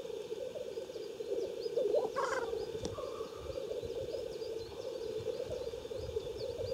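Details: Lekking black grouse in Siberia's Omsk region at Klassino, 2018, give continuous rolling, gurgling coos that form an unbroken murmur, broken once by a brief hissing rush.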